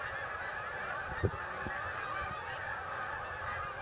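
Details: Flock of migrating geese descending into Bombay Hook National Wildlife Refuge, Delaware: steady massed honking with a sharp thump near the start and a few low knocks.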